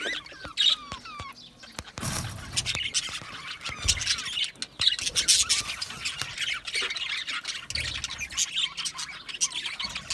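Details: Several budgerigars chirp as they communicate, mixing clear rising whistled notes early on with a growing mass of scratchy, overlapping chatter and squawks.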